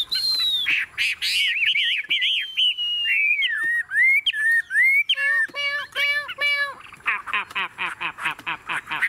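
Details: Chinese hwamei, a tame cage bird, delivers a long falling whistle into rolling warbled phrases, then rich ringing notes in a cluster and a fast stutter of short chirps at the end.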